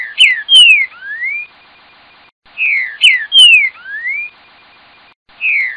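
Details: Green-winged saltator (Saltator similis) singing a short phrase of rich, slurred whistles, falling then rising, repeated about every three seconds over a near-silent background.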